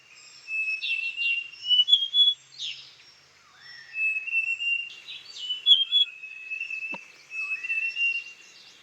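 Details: A female large niltava at Doi Inthanon, Chiang Mai, Thailand, gives long, steady, high whistled notes in loose phrases while other birds twitter and chirp busily in the background.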